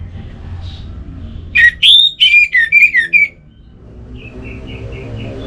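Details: Orange-headed thrush in relaxed song: a loud burst of rich, slurred whistles and short twittering notes lasting under two seconds, then a soft, distant series of five or six even, fading notes.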